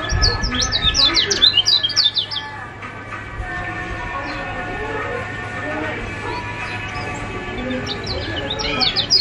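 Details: Lively Lombok kecial kuning white-eye, a lure recording to get silent birds singing: dense bursts of high, quick down-slurred chirps at the start and again at the end, a quieter gap between, over steady low hum and faint voices.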